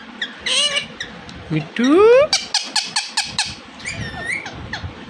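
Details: Indian ringneck parakeet talking: a squeaky, nasal speech-like phrase, a loud upward-sliding squawk, then a series of evenly spaced short bursts and a final wavering chatter.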